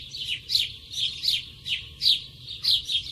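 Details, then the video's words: Close sparrow giving bright, slurred chirps in fairly steady succession, roughly one every half second, with a soft low hum beneath. "Sparrow sound (Nature close sound, lovely, funny, relax...)"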